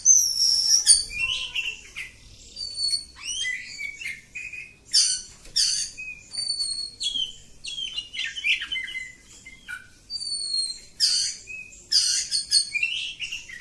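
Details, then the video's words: Long, unbroken ngacor song of a kacer kampung oriental magpie-robin. Clear thin whistles, short upward slurs and scratchy chattering bursts follow each other rapidly through the phrase. "Kacer Kampung. Super Ngacor panjang"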